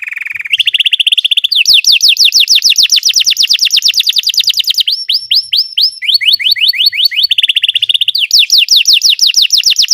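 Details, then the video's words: Singing Belgian canary, played for canary song training: a steady high trill shifts into rapid rolls of descending whistled slurs, with a brief glissando phrase midway and fast repeated notes throughout, loud and unbroken. "Belgian canary singing makes your canary sing"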